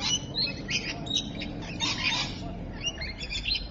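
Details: Rainbow lorikeet flock recorded at Evans Head, 26 May 2012, keeping up a continuous high, scratchy chattering of many overlapping short squeaky notes, with a faint low hum beneath.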